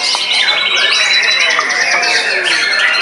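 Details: White-rumped shama singing frenziedly after its molt to outdo rivals: loud sliding whistles, a fast stuttering trill and sharp down-swept notes crowded into a continuous stream.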